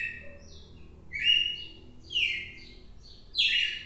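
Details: A red-cowled cardinal on 4 December sings short downward-sliding whistles, rich and somewhat burry, spaced about a second apart over faint background hiss.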